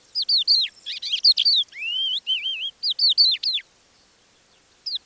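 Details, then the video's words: Crested lark near Divnoye village, Manych, northern Stavropol, early morning of 21 April 2024 in calm air; after short, mildly alarmed phrases it sings softly its extended repertoire of whistles, slurs and chirps, mimicking other birds such as the linnet. "Наконец, хохлатый жаворонок не выдержал и вполголоса выдал свой расширенный репертуар."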